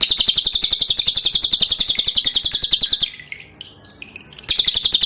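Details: A pin-striped tit-babbler gives its hard, dense song for training cage birds over dripping water. Quick, evenly spaced high notes run for three seconds, pause for a moment of soft twitters, then start again.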